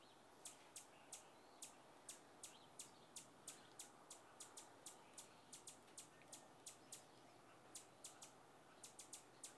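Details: A feisty rufous hummingbird of North America repeats short, high, clicking chip notes steadily, roughly two to three per second, with brief doubled notes now and then over a low even hiss.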